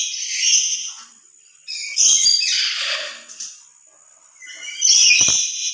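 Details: Lory voicing its loud emotional call, made louder when alone than with other lories: a series of harsh, shrill screeches at irregular intervals, some short and rasping, others drawn out.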